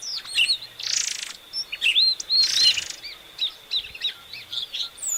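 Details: Varied song of an epaulet oriole: two harsh, noisy buzzes between bright looping whistles and short chirps, the phrases jumping up and down in pitch, with a constant high faint tone behind.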